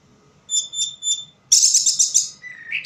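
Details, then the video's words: Orange-headed thrush singing in low light: three soft repeated high whistled notes, then a loud burst of dense scratchy chattering ending in a lower rising whistle. "Burung Anis merah bunyi tanpa bayangan"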